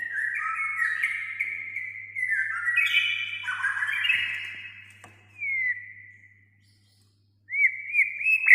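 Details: White-rumped shama singing continuously to prompt a lazy shama to sing: overlapping whistled phrases at varied pitches, a smooth descending slur, a quiet gap, then sharp rising whistles at the end.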